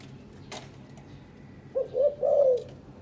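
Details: Captive breeding pair of spotted doves, kept together for three days, now preening each other and carrying material to build a nest; three soft, low cooing notes, the last longest and slightly wavering, over quiet indoor background.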